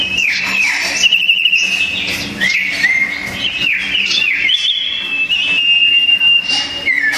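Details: Two sooty-headed bulbuls fighting in song, loud and tightly packed: repeated upward-sweeping whistles alternate with fast trills and long level notes.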